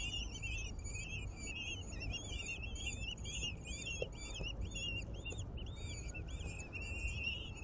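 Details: Common kestrel (Falco tinnunculus) at an urban nest in a ninth-floor planter box, with chicks being fed a swift and a chameleon: a steady run of high, squealing, arched notes, several a second, over constant low city traffic rumble.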